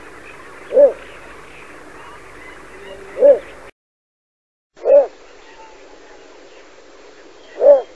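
Little bittern giving its song, a deep, short croak repeated about every two to three seconds, over steady background hiss.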